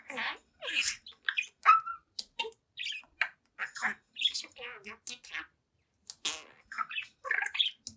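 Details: Young pet budgerigar, seven months old, chattering and talking in front of a mirror; rapid run of short scratchy syllables, squeaks and garbled speech-like notes with brief pauses, continuing throughout.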